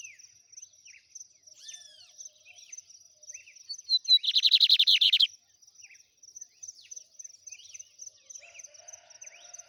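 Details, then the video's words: Trem bala song of a lined seedeater: brief whistled slides and chips leading into an intense rapid buzzing trill of about a second, then sparse upslurred notes, over a constant high thin tone. "BIGODINHO TREM BALA. ADMIRE ESSA LINDA AVE E SEU CANTO BELÍSSIMO"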